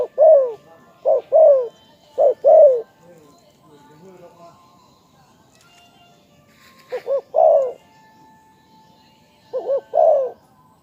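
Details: Spotted dove cooing in bursts of looping double notes and falling husky coos. A stretch of quiet murmur and a faint steady tone fill the middle before two more phrases.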